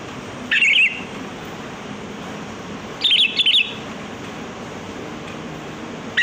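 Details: Sooty-headed bulbul song played to lure birds, short chattering bursts of rapid, wavering whistled notes separated by a couple of seconds of quiet hiss.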